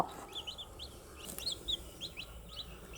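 Several young chicks peep softly, with short, high, arched chirps repeated every fraction of a second and overlapping, over a quiet low background hum.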